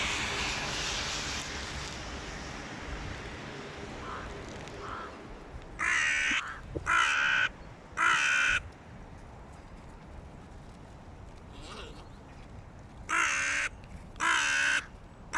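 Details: Squabbling over prey on the ground, hooded crows give loud, hoarse caws in bursts: three in a row, a pause, then two more, with faint caws and a rushing, noisy background between them.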